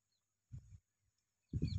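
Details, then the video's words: Cattle egret, a heron shown in breeding plumage, walking and flying: two low, gruff, croaking calls about a second apart, with faint high bird notes and a steady hiss behind. "Cattle egret call sound"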